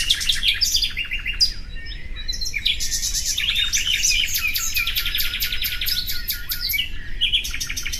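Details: Common nightingale song: dense, rapid trills and chattering phrases with sharp repeated notes, several strands overlapping almost without pause, over a steady low rumble.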